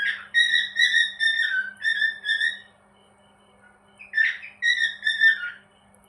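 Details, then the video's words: A cockatiel described as happy gives loud, pure whistles in quick phrases of five or six notes, some warbling and bending in pitch, then a brief silence before another run of whistled notes; a steady faint hum underneath. "happy cocktail bird"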